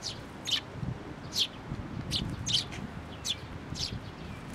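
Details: Aggressive parent sparrow, formerly coming to take food, at a Tenmangu shrine on 16 May 2024; crisp, emphatic chirps, some in quick pairs, over quiet low background noise.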